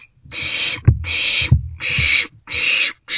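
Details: Barn owlets sharing a meal in a nest box at night in March 2024; long, drawn-out rasping hisses almost running together, punctuated by two sharp knocks from movement.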